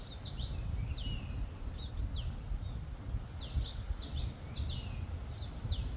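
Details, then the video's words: Bird chirping in the open: clusters of high, sharp downslurred chirps repeated every second or so, set against constant low-pitched environmental noise. "#birdsounds #chirpingsounds #chirpingbirds"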